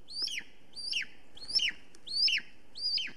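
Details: Wild female golden eagle calling at her Estonian nest on a July 2020 morning, caught by a nest camera: five sharp, high, two-note yelps, each climbing and then sliding down, repeated steadily about every 0.6 seconds.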